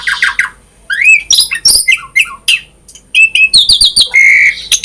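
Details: Vigorous Asian pied starling song, full of variation, used to lure other starlings to sing: quick harsh chirps, upward slurs and clicks, ending in a sustained buzzy whistle and a few sharp notes.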